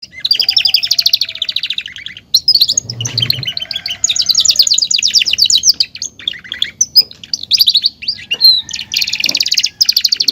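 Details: Caged Belgian canary, a male whose song stakes out its place and attracts a female. It sings long, loud phrases of rapid high trills and rattles broken by short pauses, with bursts of sharp chirps and warbled notes in between.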